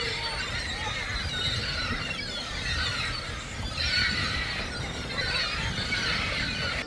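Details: Several gulls by a fishing village ferry stop on the Bosphorus, Istanbul, keep up harsh, squealing cries that overlap without pause, over a low rumble of wind or engine and a voice now and then.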